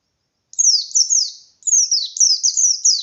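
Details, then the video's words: Caged white-eye's loud 'ngalas' song, used to make other white-eyes answer and sing harder: after a short silence, two runs of rapid, high, sweeping downslurred notes, closely packed and energetic. "Burung Pleci Gacor Pendongkrak Emosi Pleci Lain"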